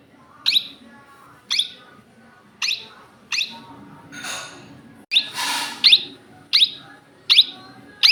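Rose-ringed parakeet giving loud, shrill screeching notes, about one every second, with a brief burst of broad noise midway.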